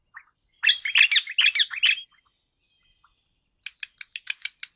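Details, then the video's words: Crimson rosella giving a long, loud burst of rough, scratchy chatter, then after a pause a quick, even series of about eight sharp clipped notes. "Crimson Rosella Call. Crimson Rosella Sounds. Crimson Rosella Song. Crimson Rosella Noise."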